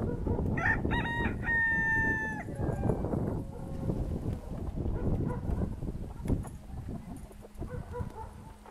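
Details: Decorative chickens, Brahma and Pavlovskaya breed hens and roosters, in Altai, February 2016: a run of loud, harmonic, slightly falling calls over the first two and a half seconds, then softer clucking amid rustling and low background noise.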